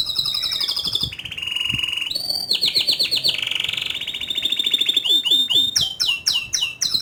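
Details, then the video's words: Canary song of long rolling trills and buzzy rattles shifting pitch every second or so, closing with a run of quick sharp sweeping notes. "Kenari Gacor Ngerol Nembak Suara Kicauan nya ISTIMEWA"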